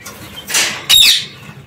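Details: Parakeets kept in an aviary give two harsh, raspy squawks, the second louder and slightly longer, about half a second apart, with no other clear sounds.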